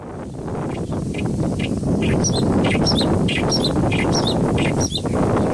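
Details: Clamorous reed warbler singing in a Kashmir riverine grassland: a steady run of short, chattering notes, some higher and squeaky, repeated several times a second over a constant low rumble of wind or distant traffic.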